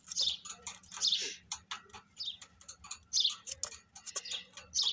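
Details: Female grey francolin calling. Harsh, high, scratchy bursts come about once a second in an irregular series, with sharp clicks and short noises between them.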